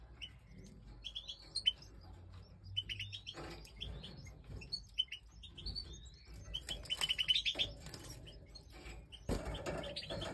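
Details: Goldfinch chicks at feeding time during the breeding season: scattered high tweets and short rising notes in bursts, busier near the end, with rustling and knocking sounds and a low hum beneath.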